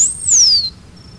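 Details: Single high thin whistle from a blue finch (campainha-azul) of the Cerrado, rising briefly then gliding slowly downward over about half a second before fading into quiet.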